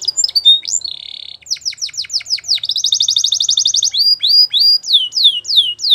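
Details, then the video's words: Belgian canary champion-style song: chirps and a buzzy held note, a run of loud falling whistles, a fast rolling trill, then more sweeping downward whistles. "Make Your Canary Singing Like Champion | Belgian Canary Song"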